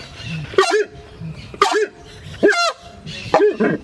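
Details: Horned screamer in rural areas giving four loud, harsh, strident honking bursts about a second apart, each with a rising then falling edge, an alarm call to alert others and intimidate threats, over a low background rumble.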